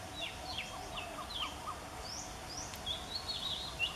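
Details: Love song of an Oriental Magpie Robin recorded 8 February 2014 at a university nature study centre in Mahasarakham, Thailand; sharp slurred whistles and short sweeping notes, some lower chirps, delivered in a lively varied run amid constant hiss.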